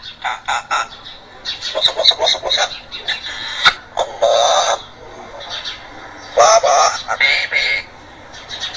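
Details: Parrot talking in Arabic and reciting Quran verses: short, clipped speech-like syllables in quick bursts, with longer hoarse vowel-like phrases near the middle and end, in a quiet indoor setting.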